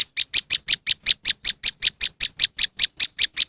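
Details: Moss wren lure sound: a steady string of harsh, buzzy chip notes, about five per second, evenly spaced and high-pitched, with no other sounds.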